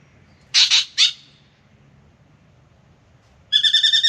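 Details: Australian spangled drongo singing in the morning while coming to drink at a backyard birdbath: two loud, harsh, grating bursts, a pause, then a quick buzzy rattle of repeated harmonic notes.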